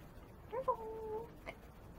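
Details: Talking African grey parrot kept as a pet, producing a short rising note that flows into a long, level whistled "ho" lasting over half a second, followed by a brief faint click; a person speaks nearby.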